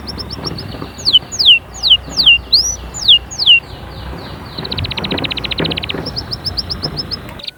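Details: Canary singing to encourage chicks to sing and prepare females: a run of looping downward whistles followed by a softer rapid trill and short chirps over a low background hum.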